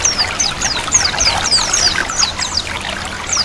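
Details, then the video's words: White-eye chattering song, called ngiriwik, layered with flowing water; quick high descending whistled notes about three per second over a constant trickle. "Terapi pleci 100% mempercepat pleci buka paruh."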